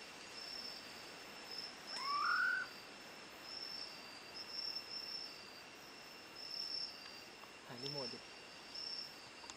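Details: Female Hodgson's frogmouth (Batrachostomus hodgsoni) gives one short, rising whistle over a steady insect-like hum, faint high ticking and a brief harsher sound near the end; recorded 3 March 2015.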